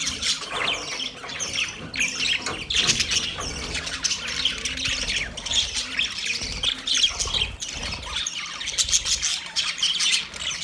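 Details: Budgies call to one another in a busy stream of shrill chirps, harsh squawks and rapid warbles, many voices overlapping with brief louder bursts around the third and seventh seconds.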